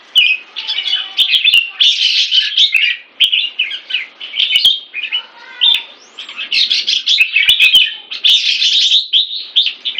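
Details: Caged Red-whiskered bulbul, raised in Singapore and molting, sings a dense run of quick chattering whistled phrases in a steady stream, with short pauses and faint sharp clicks between bursts.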